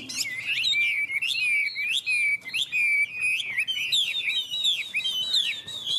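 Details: Chinese hwamei competing in song with another unowned bird: strong, clear whistles with repeated sliding phrases, steady bursts broken by short pauses, rising into higher notes later.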